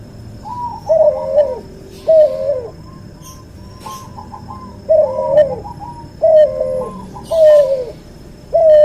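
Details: Cuhu dove, a white albino puter and puter pelung hybrid, in a tutor recording, uttering a run of short wavering coos in pairs and triplets, with faint clicks and a quiet hum behind.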